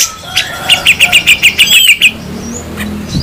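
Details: Grey-cheeked bulbul, local and Sumatran birds, in a harsh 'besetan' song: a quick run of about ten short, sharp whistled notes at a steady pitch, roughly six a second, then trailing off into a quieter background.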